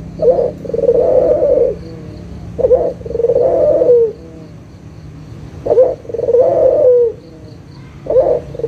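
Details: Local Barbary dove calling, used as a lure to get silent doves to call again: a short coo followed by a longer rolling, slightly descending coo, the pair repeated about every three seconds over a faint background hum.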